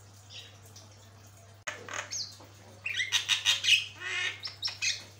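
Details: Javan myna (jalak kebo) in a tutor recording, first quiet with a low hum, then after a click bursts into rapid harsh chattering notes and short sharp whistles, several phrases a second.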